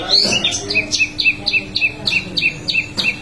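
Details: A wambi in lively 'ngerol' form gives a steady rhythm of paired notes, a high sharp chip followed by a lower chirp, repeated about every quarter second.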